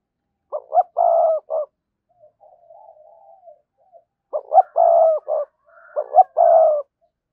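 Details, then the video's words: Spotted dove cooing as a lure for wild doves: a complete phrase of short notes around a long rough coo, a soft murmuring interlude, then two phrases run close together. "cu gáy kích bổi hiệu quả/ giọng nhạy bổi nhất hiện nay"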